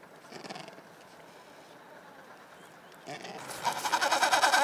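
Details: Adelie penguins on the Yalour Islands, back clean from a fishing trip and crossing snow toward their rocky colony; after quiet murmuring, a loud harsh braying call of rapid throbbing pulses begins and carries to the end.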